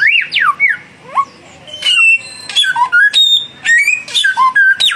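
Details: Young samyong bird versus mature samyong in a song duel. Rising and falling whistled slurs open, then a short lull, then fast loud whistles and harsh bursts.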